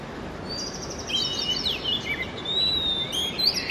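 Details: Early-morning song of an Oriental magpie-robin: a soft start, then bright, high whistles and short slurred notes, some falling and some rising, strung into a lively, varied phrase over faint hiss.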